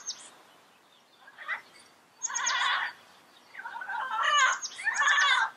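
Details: Yellow-headed amazon uttering raucous squawks with a wavering, quavering quality, short notes first and then two longer loud bursts, with high squeaky notes above.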